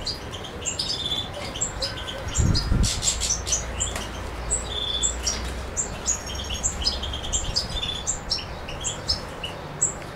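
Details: Suki Makedonski song of a European goldfinch, Macedonia, 7 July 2011: fast liquid twittering with high metallic chirps and buzzy trills, interrupted near the middle by a brief low thump.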